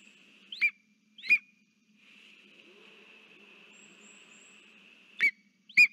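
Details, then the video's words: Lesser spotted eagle at its nest on 3 September 2023, holding a frog and calling its mate: four sharp, high yelping notes in two pairs about four seconds apart, over a steady high background whine. "orlik krzykliwy - Voldis z żabą 🐸 woła Martę"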